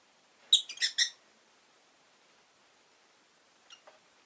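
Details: A quick run of four piercing chirps in under a second, then two faint notes, from one of five caged pet rosy-faced lovebirds indoors near a window.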